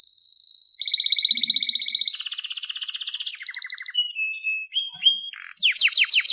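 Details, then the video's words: Canary song moves through several tours: a steady whistle, a buzzy rapid trill, lower rolling notes, isolated whistles, then quick falling sweeps. "Wonderfull Canary Singing"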